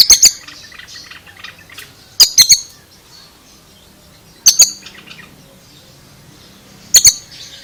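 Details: Oriental magpie-robin producing an odd, surprising sound: clusters of two to three loud, sharp rasping notes roughly every two and a half seconds, with faint soft notes between.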